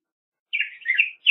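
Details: Brief Black-headed grosbeak song phrase, a rich warbled whistle wavering up and down, followed by the start of another note.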